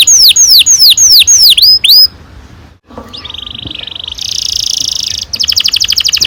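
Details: Canary song used as a lure for young canaries: a series of loud swooping down-slurred whistles, a brief pause, then a steady low trill rising to a higher buzzy roll and a fast pulsed phrase.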